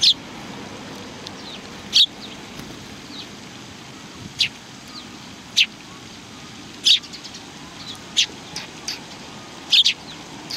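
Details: Sparrows recorded on 19 March 2019; sharp, high chirps spaced irregularly a second or more apart, with a few fainter chirps between them over a quiet background.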